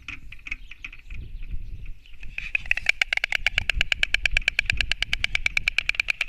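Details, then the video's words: Two white storks fighting on a nest in Latvia, 29 March 2024: a few irregular knocks, low rumbling thuds, then a long fast clattering rattle of crisp hollow beats. "Cīņa starp baltajiem stārķiem"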